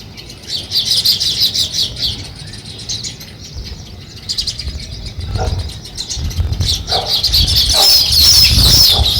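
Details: Sparrows chirping while starting a nest: fast high chirps in uneven bursts, with low thumping and rustling sounds in the second half and a loud, dense twittering at the end.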